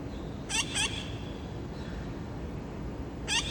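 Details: Parrots on a late-afternoon visit near a home in August, after a scout called and three others joined. Two quick raspy squawks follow one another closely, then a single squawk comes near the end, against constant low background noise.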